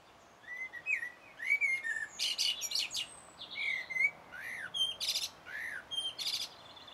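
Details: Common blackbird in full song, 1 June 2016, Sony HDR-PJ10E camera: repeated mellow whistled phrases, each closed by a harsh, high scratchy twitter, the pattern cycling about every second.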